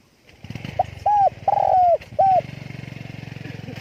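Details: Spotted dove calling with wing flapping, a run of four mellow coos, one drawn out and sagging, half masked by a steady low engine rumble like a passing motorcycle.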